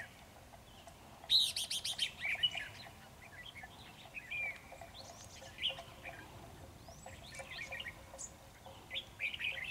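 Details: Red-whiskered bulbul of the Ché type, singing fiercely at a trap and outdoing the decoy bird, Vietnam: loud bursts of warbled, chirpy notes, then scattered shorter whistled phrases over steady background hiss.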